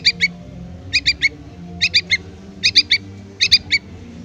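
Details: Yellow-vented bulbul nestling calling to its parent: rapid clusters of two or three sharp, high chirps, five bursts in under five seconds, with a soft low rumble behind.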